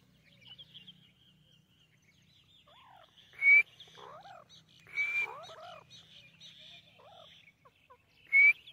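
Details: White teetar (francolin) giving three loud, harsh, rasping bursts, each with a short rising whistled tone, about every two to three seconds, while smaller birds chirp and twitter softly throughout.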